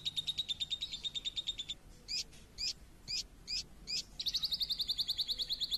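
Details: Lure song of a champion lovebird. A fast high chirping trill breaks off into five separate sharp hooked notes spaced about half a second apart. Then the rapid, steady trill resumes.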